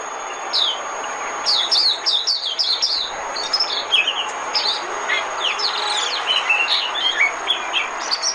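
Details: Decoy song of Oriental white-eye used as a lure for trapping: busy, high-pitched twittering with rapid chirps and thin trilled notes tumbling almost continuously, some phrases overlapping, against a soft constant hiss.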